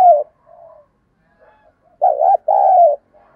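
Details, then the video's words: Decoy spotted dove cooing excitedly to lure wild doves: faint low coos early, then a loud two-part phrase near two seconds, a quick wavering note and a longer falling coo, with a soft high tone in the background. "Tiếng Chim Cu Mồi Thúc Gù Căng Lửa"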